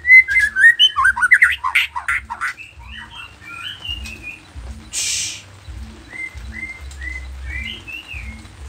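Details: White-rumped shama of the Nias noktah form singing an energetic, varied song used to lure other shamas into answering. Fast loud warbling fills the first two seconds, then soft scattered whistled notes follow, with a brief hiss of noise.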